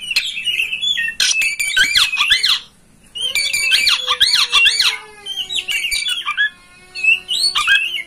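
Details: Oriental magpie-robin master song for getting a kept kacer to open its tail and sing: rapid chattering runs of harsh arched notes in bursts of one to two seconds, separated by short pauses and a long whistle.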